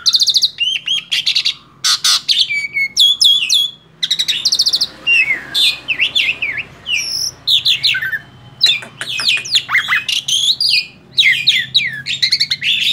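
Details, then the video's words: Tame male black-winged starling singing energetically: a varied run of sharp chirps, rising whistles and harsh rattling notes in rapid bursts, with brief pauses between phrases; quiet room hum beneath. "JALAK SUREN JINAK GACOR MASTERAN"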